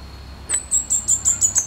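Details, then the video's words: Fire-breasted flowerpecker in the wild giving a crisp series of seven high, thin ticking notes evenly spaced about every fifth of a second, against a quiet background. "Burung Cabai Bunga Api Gacor Di Alam"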